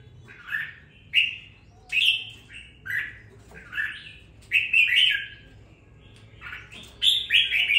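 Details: Caged red-whiskered bulbul, newly bought and kept for two weeks, now singing with some fire: short, bright, warbled phrases that rise and fall, delivered in bursts about once a second over a low background hum.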